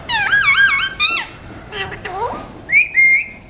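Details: Talking Alexandrine parakeet, a mutation, chattering between seeds: loud wavering nasal phrase of three wobbling syllables, a falling squawk, lower drawn-out falling notes, then a clear flat whistle rising and holding at the end.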